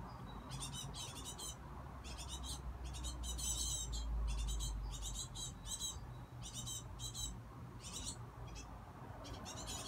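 Young great tits give rapid bursts of high, scratchy, wheezing calls several times a second, over a steady low rumble.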